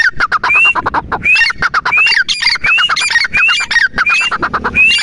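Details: A grey francolin, known as teetar, calls over and over. Each phrase is a bright rising whistle tied to a rapid series of scratchy clipped notes, with seven phrases in five seconds.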